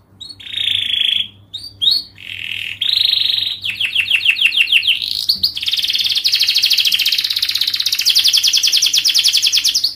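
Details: Long, fast canary song played to teach young canaries: short sustained buzzy notes give way to a series of rapid rising clicks and then a long, dense, high rolling trill, with a faint background hum.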